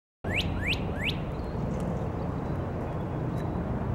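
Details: Northern cardinal singing in Savannah, Georgia, on 4 April 2022: three quick clear upslurred whistles, then silence from the bird under loud low rumbling traffic noise.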